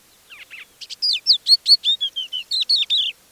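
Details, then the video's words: Crested Lark at Manych, April 2024, mimicking the song of a Common Linnet within its own song: soft buzzy notes, then a fast series of about a dozen clear, downslurred whistled notes in quick succession. "В голосе хохлатого плагиатора слышались мотивы разных птиц. Например, тут он неплохо скопировал песню «Коноплянки»."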